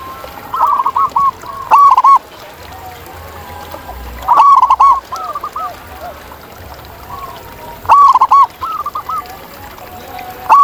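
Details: ['Wild zebra dove song in nature: a loud, rapid, rolling coo returns roughly every three seconds, each followed by softer bubbling replies from other doves nearby.']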